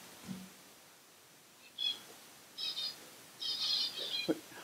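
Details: In a small room of finches and canaries for sale at a New Jersey bird store, small finches chirp in three quick bursts of high, bright twittering notes, the last longest, with a faint voice and room noise.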